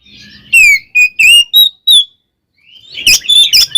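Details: Caged oriental magpie-robin singing a provocative fighting song: five rich whistled phrases, some sliding downward, then a pause and a burst of harsher, buzzy, mixed notes.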